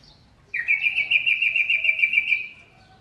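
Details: Poksay mantel laughingthrush singing vigorously (gacor): a sudden clear whistled note held steady for two seconds, rapidly pulsed like a trill with faint buzzy overtones, fading gently at the end.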